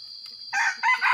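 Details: Red junglefowl kept as a rainy-season decoy, giving two quick harsh crowing bursts in close succession, loud and coarse, after a quiet start.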